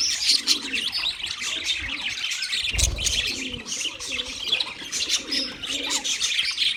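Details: Continuous chirping of wild budgerigars, with a crowd of high, scratchy tweets and warbles, low cooing notes behind, and a brief dull thump near the middle.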